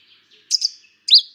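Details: Cetti's warbler song: two loud, explosive high notes in quick succession, then a brief pause and a sharper rising-and-falling burst. The notes are clean and staccato, with no other sounds.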